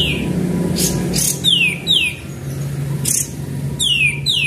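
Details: Sooty-headed bulbul song for luring: pairs of sweet downward-slurred whistles separated by loud rasping bursts, repeated roughly twice a second, over a low droning hum.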